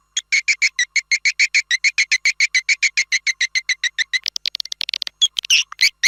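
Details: Swiftlet lure call from Malaysia or Indonesia, meant to draw a flock for swiftlet farmers. About thirty quick, regular, clicking two-toned chirps are followed by a scatter of higher, faster twitters and squeaks.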